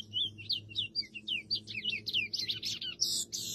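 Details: A free-living chestnut-bellied seed finch sings in the wild, a rapid, unbroken run of clear whistled notes, sliding up and down and ending in brighter, higher phrases, over a faint low hum.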